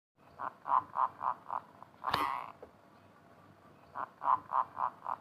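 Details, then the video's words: Champion zebra dove singing in the manggung style: bursts of short, evenly spaced mellow cooing notes, broken midway by a loud brief scraping noise, then a second run of cooing notes. "suara perkutut juara manggung"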